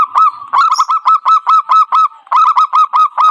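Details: Zebra dove lure call for trapping: a continuous run of loud, clipped coo notes repeated about five times a second over a steady low tone, with a brief break midway.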